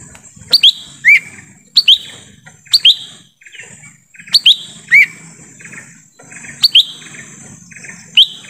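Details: Lesser green leafbird in forest, recorded to attract wild birds, repeats loud upslurred whistles in groups of two or three, about one group per second, with a continuous high hum.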